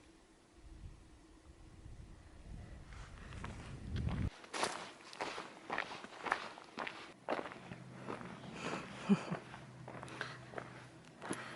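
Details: Footsteps crunch steadily over rough ground outdoors, with rustling gear and a low background rumble, and no animal calls.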